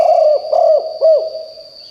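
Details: Spotted dove used as a decoy to call in wild birds, cooing loudly: three short, rounded, hoarse coo notes in quick succession, then fading, with a constant thin high-pitched whine behind.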